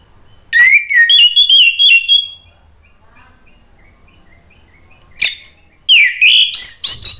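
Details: Orange-headed thrush song used as a lure to stimulate a bird that has stopped singing. A loud run of rich whistles, then faint soft chirps, then strong, quickly rising and falling whistled phrases.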